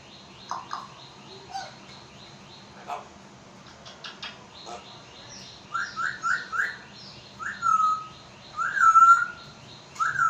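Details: Pet African grey parrot in Pakistan, a talking bird: quick clicks and chirps, then a series of rising whistled notes and longer whistles, repeated roughly every half second to one second, indoors.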